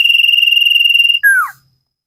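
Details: Caged common iora in a training recording, giving a sustained high trilled whistle at steady pitch for over a second, then a lower note sweeping downward.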